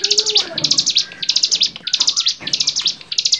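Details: Lively, varied bar-winged prinia singing, a songbird training recording: rapid trains of sharp, buzzy pulsed notes repeated in short bursts roughly every half second, with faint thin whistles in the gaps.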